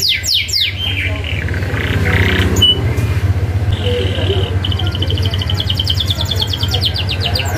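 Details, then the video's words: Canary song from a training recording for young canaries: a few quick falling sweeps, a buzzy note, then a long high rolling trill of rapid repeated notes, with a low droning hum underneath. "Kenari Gacor isian ngerol tajam MASTERAN ampuh Kenari Bahan nyaut ❗️canary birdsong"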